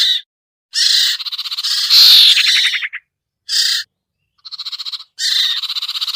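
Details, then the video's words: Sirtu bird lure sound: long harsh rasping chatter with a rapid pulsed section, then short buzzy bursts, a faint stuttering run and a final grating phrase, separated by brief silences. "suara pikat burung sertu sirtu cipoh yang susah turun"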